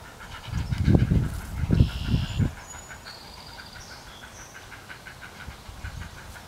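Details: Heron chicks, three of them almost ready to fledge, impatiently awaiting a parent's feeding visit: low thumping bursts at first, then a quick stuttering run of dry ticking notes with a few high whistles above.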